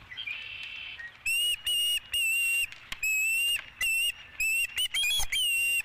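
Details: At a ranch nest with a fish on an April 2017 evening, an osprey gives piercing whistled chirps. They start after a faint, hissy opening second, then come in bursts of sharp, even notes separated by brief gaps.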